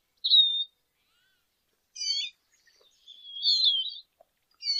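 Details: Sparse high notes from a lesser goldfinch: a thin sustained whistle, then a pause, a cluster of short twitters, and a longer warbled phrase, separated by silences.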